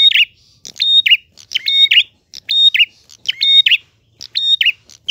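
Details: Prinia in full gacor ngalun song, voice clean and bright, giving about six quick phrases of chips, held high notes, a level lower whistle and a wavering falling trill over a silent background.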